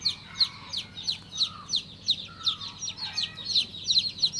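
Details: Shrill downward-sliding peeps from a baby chick, repeated rapidly and unevenly, some bunched into fast clusters near the end, over a quiet low hum.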